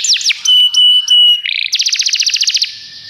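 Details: A Belgian canary sings loudly as a tutor bird: two quick descending whistled sweeps, then held pure whistles broken by brief gaps, then a fast even trill of about fifteen rolling notes that ends in a short fading tone.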